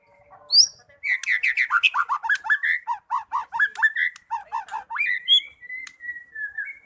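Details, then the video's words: White-rumped shama giving loud, continuous 'gacor' song: a long unbroken run of rapid, repeated, looping whistled notes with buzzy overtones, closing on drawn-out thin whistles. "Burung Murai batu gacor dor"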